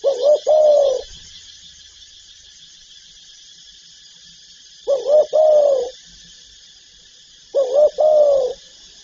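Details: Spotted dove cooing: three evenly spaced phrases, each a quick double note then a long hollow coo, roughly every three seconds against a constant high hiss.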